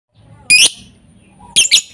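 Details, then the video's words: Lovebird lure sound meant to get lovebirds singing nonstop: two short, harsh, high chirps about a second apart over a quiet low hum. "Suara pancingan untuk lovebird kurang gacor"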